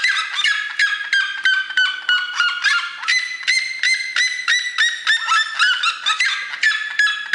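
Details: Red-legged seriema giving a loud, harsh yelping series of rapid, harmonic-rich notes, repeated about three times a second in uneven bursts, rising and falling in strength, with no other clear sounds.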